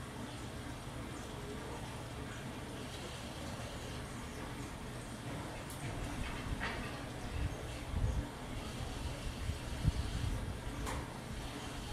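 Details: Steady low rumble of machinery or a passing train with a few faint clicks, and no animal voice to be picked out.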